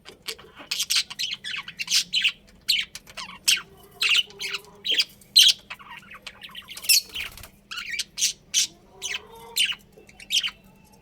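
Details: Pet budgies keep up a lively run of harsh squawks and high chirps in rhythmic bursts, a few lower whistled notes between them, with a constant electrical hum.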